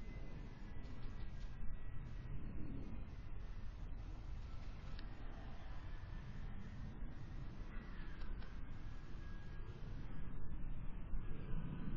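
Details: Low rumbling noise, like distant traffic or wind on the microphone, with no clear animal calls.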